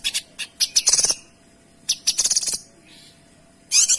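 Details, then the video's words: Kinoy singing for tutoring other songbirds: loud rapid stuttering bursts of harsh, rattling notes in tight series, separated by short pauses, with a faint soft whistle between them. "Suara Kinoy Gacor Tembakan Rapat dan Jernih"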